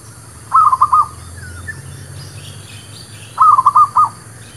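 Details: ['Local zebra dove, merbuk kampung or perkutut lokal, singing as a trapping lure: two brisk phrases of rolling, staccato coos about three seconds apart, with faint higher chirps of other birds and a low background hum.']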